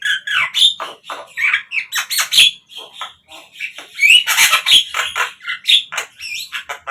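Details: Javan myna song used to prompt captive birds to sing: continuous noisy chatter of harsh squawks, twangy whistles and rising slurs, barely pausing throughout.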